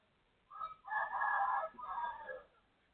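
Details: Neighbouring rooster crowing at 12:12 on 23/01/2568: a muffled, fairly distant three-part crow, rough and drawn out, set against steady background noise.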